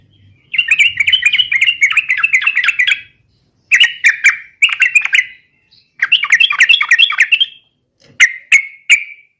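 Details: Yellow-vented bulbul, used as a lure to spur other bulbuls into song: repeated bursts of bubbly, chattering warble, ending with a few clear separate chirps.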